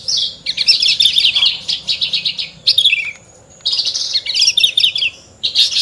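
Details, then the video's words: Caged Horsfield's bush lark (branjangan) singing a rich, varied song of rapid chirps and trills in bursts, with short gaps between phrases. "Burung branjangan gacor lagu mewah"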